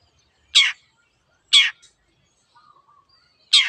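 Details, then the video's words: Three rough, scratchy squawks from a pendet, the long-tailed shrike, about one second apart, with a faint thin whistle between the second and third. "PENDET GACOR"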